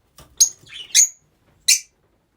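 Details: Several Rosy-faced lovebirds kept together, with three loud, sharp, whistled shrieks, the middle one followed by a lower trailing note, in a quiet room.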